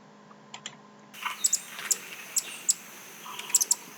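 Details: Andean Emerald ambient song recording played back through a computer program; keyboard typing first, then sharp, high, separated chip notes repeat about every half second over a hissing ambient background.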